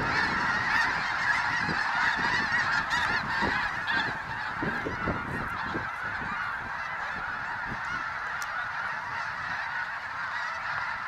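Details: A huge flock of over 20,000 snow geese at a refuge, spooked into a frenzied low flight after grazing in a field; dense, continuous honking and yelping from countless birds, with wingbeat rumbles underneath.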